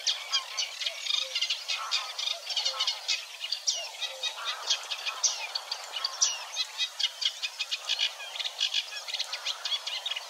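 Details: Eurasian Reed Warbler song recorded 6–7 May 2022 at Wetering, Overijssel, Netherlands: long run of rhythmic chattering notes, some doubled or tripled, jerky and scratchy, contentedly burbling with a little imitation.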